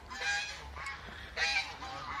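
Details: Young male domestic geese in a neighbour's large flock, described as calling a lot; two loud harsh honks about a second apart, buzzy and rich in overtones.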